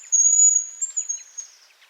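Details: Hazel grouse (Tetrastes bonasia) autumn whistle near Elno, Novgorod oblast, Russia, 20 September 2018: a very high, thin, drawn-out whistle, then a few faint broken high notes trailing off.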